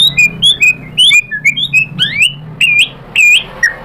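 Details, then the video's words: White-rumped shama lure song to stir a rival into answering: a string of sweet whistled phrases, some rising sharply, others dropping, delivered at a lively uneven pace over a faint low hum. "pancingan MURAI BATU GACOR FIGHTER ampuh untuk menaikkan emosi biar NYAUT BONGKAR ISIAN | SHAMA BIRD"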